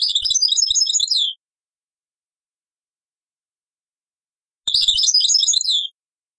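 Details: European goldfinch singing in the taqsrayin style, taken from an old cassette: two short bursts of bright, rapid twittering with tinkling notes, each about a second long, separated by a few seconds of silence.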